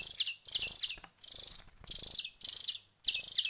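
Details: Young finches reared by hand for one week, giving long, strident, rasping begging notes that each last about half a second, separated by short breaks.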